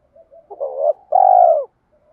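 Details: Single phrase from a spotted dove lure bird in the mixed rural-field style: faint soft notes, a rising wavering coo, then one long, steady, deep coo that drops at its end.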